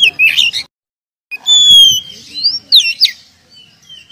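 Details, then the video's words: Oriental magpie-robin, a champion contest bird with past wins, gives a short harsh burst, a pause, then long clear drawn-out whistles and quick rising squeaky notes fading away. "Kacer Jawara Pernah Prestasi"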